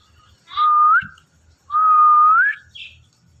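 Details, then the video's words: Indian ringneck parrot talking and dancing, giving two clear whistles that hold steady and then sweep upward at the end, the second one longer, with light tapping and rustling in the background. "Indian Ringneck Parrot Talking"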